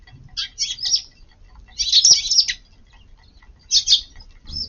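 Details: Eurasian tree sparrows feeding in a garden at midday on 4 April, with rain threatening; three bursts of bright, high twittering chirps, the middle one densest, separated by brief pauses.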